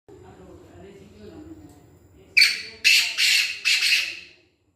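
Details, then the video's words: Black francolin, known locally as kala teetar, giving four loud, harsh, rasping notes in a quick, slightly uneven burst near the end, after a stretch of faint low murmuring that may be voices. "Black francolin kala tater کالا تیتر"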